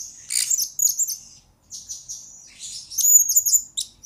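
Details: Blue-crowned hanging parrot lure-bird master recording for training birds: high, thin chirping phrases with sharp ticking notes, two bursts separated by a short quiet gap.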